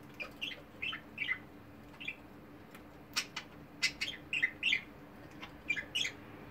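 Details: Caged pet budgies with a multicoloured bird nicknamed the group's clown, giving repeated short chirps and rasping warbled notes in quick irregular bursts, some sharp clicks between them, over a soft constant hum.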